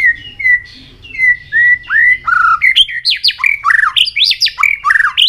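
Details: White-rumped shama singing in contest while flicking its tail: clear whistled notes near the same pitch, then a rapid run of varied rising and falling whistles, sweeping slurs and sharp chirps, rich and many-voiced.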